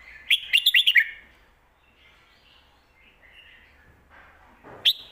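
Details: Song of a red-whiskered bulbul meant for tutoring young birds: a quick run of five bouncy whistled notes, then quiet softer warbles and a single sharp high note at the end.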